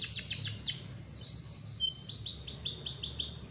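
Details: Canary, a long rolling song used to prompt other canaries to sing: quick series of high chirps and trilled notes, a brief pause, then a steady run of repeated high notes about every quarter second, with low background hum.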